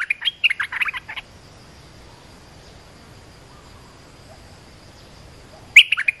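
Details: Olive-winged bulbul calls played to train young birds and lure wild ones: a burst of bubbly, chirping notes at the start, a long quiet gap with faint hiss, then another chattering burst at the end.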